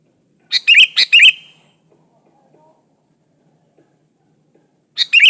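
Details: Sooty-headed bulbul, singing hard in an unmixed recording meant to draw other bulbuls into song: a cheerful burst of three quick liquid notes, a pause of nearly four seconds, then another short phrase.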